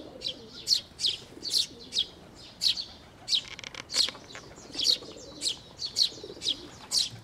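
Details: Fledgling sparrows and adults flock to a shrine's water bridge for food on 11 May 2024; repeated shrill chirps, some in quick pairs, around fifteen in seven seconds, with brief low rumbling in the background.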